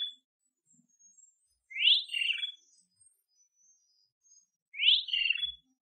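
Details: Great kiskadee repeating a strident three-syllable call twice, three seconds apart: a quick upward-sweeping note followed by a grating, descending double phrase, with faint high chirps from other birds in the background.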